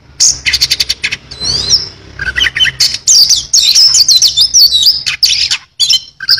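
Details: Oriental magpie-robin singing energetically with a song full of fill-in phrases: rapid trilled bursts, then sweeping whistled and buzzy notes high in pitch, broken by short pauses.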